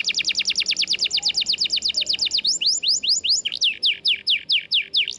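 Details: Canary singing hard, recorded as material to get silent canaries singing: a very fast run of downslurred notes for over two seconds, then slower, varied upward and downward sweeps about three per second.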